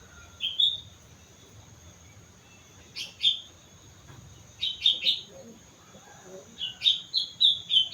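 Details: Lively sooty-headed bulbul from Mount Slamet giving repeated short phrases of two to four liquid, slurred whistles, spaced a second or two apart and growing into a longer bubbly run near the end; a thin steady high tone persists behind.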